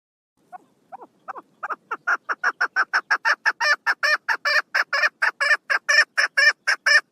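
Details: Female chukar partridge, recorded 1 June 2022: a call that starts with a few hesitant clucks and builds into a rapid, steady series of loud, harsh chuck notes, about two per second, growing louder throughout.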